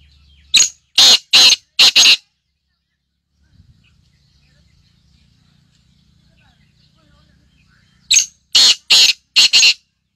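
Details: A black grouse (Lyrurus tetrix) gives its hissing call: two bursts of four harsh, hissing notes in quick succession, about six seconds apart, with a faint low murmur between them.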